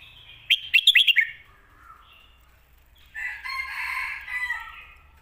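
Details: Red-whiskered bulbul song for teaching young birds: a fast burst of sharp whistled notes lasting under a second, then a softer, longer warbled passage after a pause.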